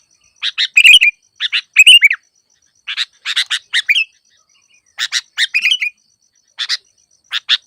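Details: Sooty-headed bulbul song on a trapping lure track: sparse clipped chirps and a few gurgling slurred phrases separated by pauses of up to a second, in an otherwise quiet recording.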